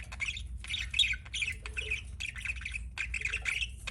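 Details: Budgerigar kept as a pet, giving quick runs of buzzy chirps and scratchy squeaks in clustered bursts separated by short gaps, over a faint low hum.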